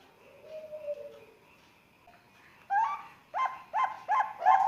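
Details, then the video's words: Bangkok zebra dove chick aged three months, from Sengkang, Wajo, Indonesia, calling to stimulate other young birds. A soft drawn-out whistle, then a pause, before a quickening series of short, bright coo notes grows louder. "SUARA PERKUTUT PIYIK USIA 3 BULAN, PIYIKAN IKUT BUNYI"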